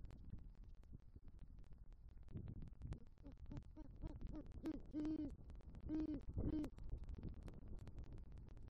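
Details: Low, soft hoots build into three loud deep hoots from a male great horned owl calling for the female at a southwest Florida nest after bringing a rodent, November night.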